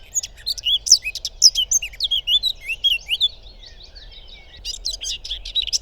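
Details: In May, beside a river in Małopolska, Poland, a Eurasian blackcap (Sylvia atricapilla) sings amid other birdsong: a quick, varied warble of bright, high notes for about three seconds, a short pause, then another burst.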